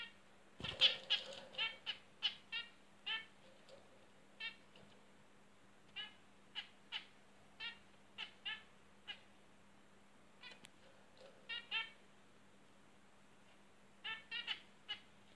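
Zebra finches give short, nasal, toy-trumpet beeps in irregular bursts, with a faint steady hum behind.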